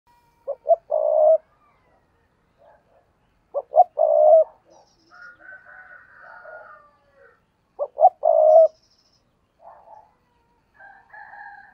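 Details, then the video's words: Spotted dove kept as a decoy bird, cooing in an intense driving style: three phrases about four seconds apart, each two short clipped notes then a long low hollow coo, with softer fainter coos from another dove between phrases. "tiếng cu gáy mồi cây thúc rút bổi căng lửa"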